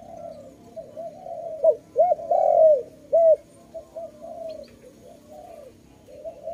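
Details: Dove cooing loudly in a trapping setting: a run of short, arched, repeated coo notes, a few stronger and longer in the middle, over a continuous low hum.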